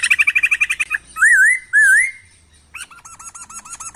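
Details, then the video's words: Laughingthrush song for training songbirds: a fast trill of about fifteen pulses, two long wavering whistles, then a quick series of short looping notes. "Masteran Burung Poksay"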